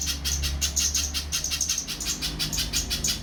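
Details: Short stretch of little spiderhunter song: fast, sharp, high chips repeated in an even rhythm, with a faint low hum underneath.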